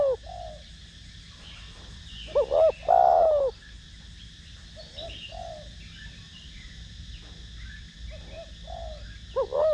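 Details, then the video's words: Spotted dove, 'thổ đồng' voice, cooing to rouse decoy birds. One strong phrase of paired short notes and a long descending coo, followed by gentle muted coos and the start of the next phrase. "Cu gáy Gù,Thúc giọng THỔ ĐỒNG kích mồi tập bổi rất hiệu quả"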